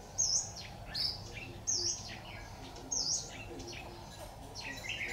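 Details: Trap decoy red-whiskered bulbul, 26 October 2019, giving high piercing dipped notes roughly every 1.3 seconds, each followed by softer chirps, over steady low noise.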